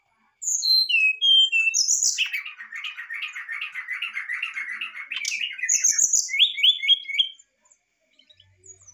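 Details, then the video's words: Excited brown-chested jungle flycatcher singing to provoke a response: a few descending whistles, then a long rapid buzzy chatter lasting several seconds, closing with high whistles and a quick three-note trill. "MUSTAHIL KALO SRDC ANDA TIDAK RESPON🔥sikatan rimba dada coklat muntah emosi .!!"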